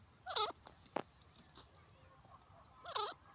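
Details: Francolin (teetar) calling: two loud, harsh, ringing notes with looping pitch, about two and a half seconds apart, with a sharp click between them against a quiet background.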